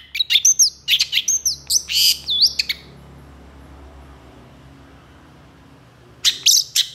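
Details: Long-tailed shrike pouring out an energetic phrase of whistled slurs and harsh chirps for about three seconds, then near silence with faint background hiss, before a fresh burst of notes resumes at the end.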